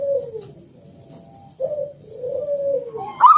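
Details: Local zebra dove used to coax other doves into calling: soft drawn-out falling coos, a pause, then a longer level coo, ending with the sharp onset of a louder trill.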